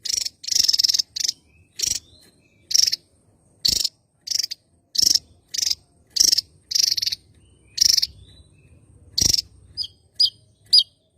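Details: Javan tesia, a bird endemic to Java, singing actively: loud buzzy, rasping bursts repeated at irregular intervals of about half a second to a second, ending with a few short, high ticking notes.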